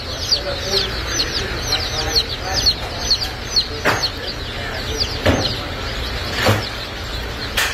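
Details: Golden Laced Polish and Blue Polish chicks at a hatchery in the US; a crowd of high downslurred peeps continues throughout, broken by several sharp knocking clicks toward the end.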